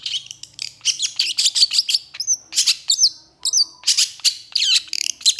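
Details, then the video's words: Vigorously singing Long-tailed shrike mixing fast scratchy chatter with clear, sharply bent high whistles, phrases tumbling almost continuously. "Cendet Gacor Emosi"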